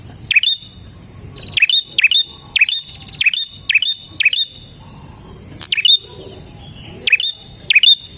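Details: Bar-winged prinia song used as a lure for other prinias: short sharp chirps dipping then flicking up to a high whistled tail, repeated in close pairs and singles about every half to one second, over a faint steady hiss.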